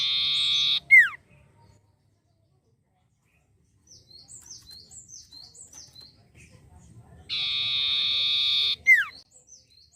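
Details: Long-tailed shrike (sirtu) singing hard: a long, even, rasping buzz ends in a swooping downward note. A run of thin high chirps follows, then a second long harsh buzz and a falling slur.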